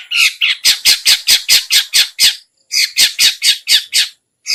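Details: Lure call of the long-tailed shrike, known locally as cendet or pentet, used to draw in other shrikes: a rapid series of coarse, scratchy squawks with a brief pause midway.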